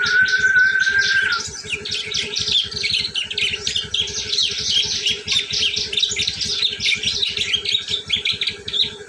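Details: Ngriwik call of a prinia, used to lure prinias: a long, busy stream of sharp, twittering high chirps tumbling over one another. A flat whistled tone opens the recording, with steady rapid low ticking underneath the whole time.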